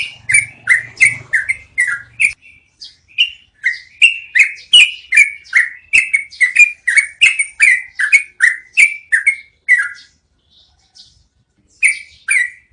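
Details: Long rolling yellow-vented bulbul song meant for training cage birds: a faint low rumble at first, then a dense run of bubbly, slurred notes, a quiet gap of about two seconds, and a few final notes.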